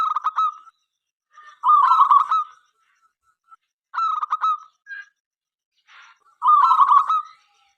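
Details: Local zebra dove singing keenly to encourage other doves to sing; four rattling, stuttered coo phrases with short gaps, plus a faint brief rustle.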